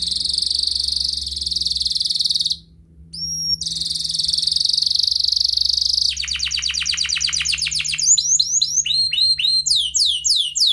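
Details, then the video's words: Canary in full ngerek song, a lure to start other canaries singing: long shrill buzzing rolls broken by two pure whistles, then fast cascades of dropping notes and swoops over a faint low hum. "Kenari gacor NGEREK Cuit cuit EMOSI"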